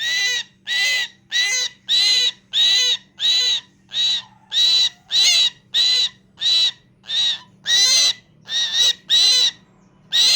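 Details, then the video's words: Harsh, rasping myna calls in a steady run, about seventeen loud buzzy bursts in ten seconds with a few doubled notes and short gaps, over a faint constant hum. "Mynah Sound#original Sound"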